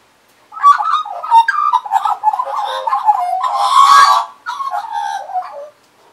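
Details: Close-range song from Australian magpies perched on a person's arm and knee, 2015: a varied, bubbling warble of quick gurgles and fluted notes, a brief loud harsh burst around the middle, then softer warbling fading out.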